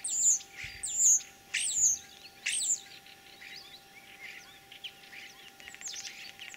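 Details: Common starling, a mimic, singing on 9 April 2023 in Tver region's Kalyazin district, Russia. Four loud, high, falling whistles sound about every 0.7 seconds, then a softer run of crackling chatter.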